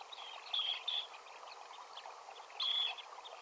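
Dunlin giving three short, high, rasping 'treep' flight calls: two close together, then one more after a pause, over a steady background rush.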